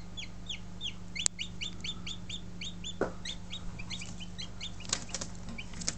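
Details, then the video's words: Buff Orpington chicks that hatched on 2 March 2011 keep up a run of high, short, downslurred peeps, several each second, against a constant low hum with occasional taps. "Baby Chicks Hatched on 2nd March 2011 (BUFF ORPINGTON)"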